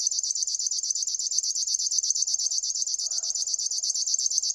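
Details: River warbler singing a steady, dry, rhythmic buzz of rapid pulses like a mechanical insect, about ten to twelve per second and unbroken throughout, with a faint low murmur midway.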